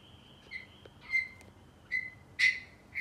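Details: Young male African grey parrot, eight months old, kept as a pet, chattering indoors: short whistled notes and a held flat whistle, separated by gaps of about half a second to a second.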